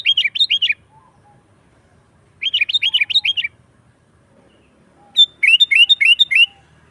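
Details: Sooty-headed bulbul in lively gacor song, used to call wild bulbuls in forest and as a master for caged birds: three bursts of four or five bubbly, down-curving notes, separated by pauses of about a second and a half.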